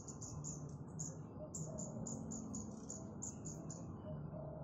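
A Streak-eared Bulbul gives a fast run of sharp, high, slightly falling notes, about four a second, over a steady low background rumble.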